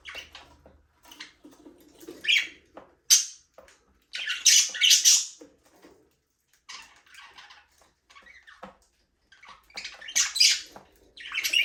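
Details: Budgerigars free flying in a small aviary chirp and chatter in loud scratchy bursts, with high squeaky notes and quiet pauses between phrases.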